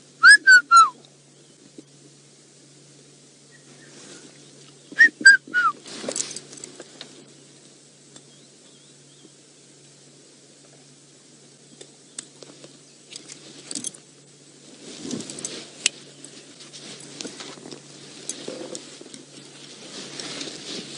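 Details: Red-chested cuckoo calling in the background on an afternoon safari drive, 10 October 2016, at Python Rock, with elephants feeding nearby; three loud, descending whistled notes, given twice, over quiet outdoor noise.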